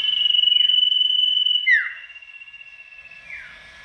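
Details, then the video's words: Tame sirtu giving a loud song meant to draw rival birds to reply: a sustained, slightly pulsing high whistle ending in a sharp falling slur, then a softer held tone and another descending slur. "Masteran burung sirtu gacor dor,suara lantang mencari lawan"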